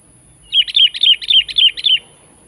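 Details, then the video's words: Sooty-headed bulbul challenging a rival with one quick run of about seven clear, bubbly chirps, each note dipping downward, evenly spaced over just under two seconds against a quiet background. "Panggilan Gacor menantang menekan lawan"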